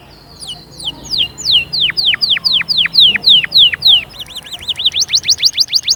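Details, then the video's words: Canary singing to stimulate young birds and ready the hens: a series of loud downward-swooping whistles, then quick rising looped notes and bright upward strokes repeated rapidly. "غناء وتحفيز خرافي لأجبار الفروخ على التغريد وتجهيز الأناث فورا جربهاcanari bird singing"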